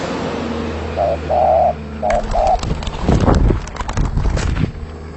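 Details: Spotted dove in full song: two short coo pairs, a brief note then a longer steady coo, heard over low hum, followed by people talking and handling noise.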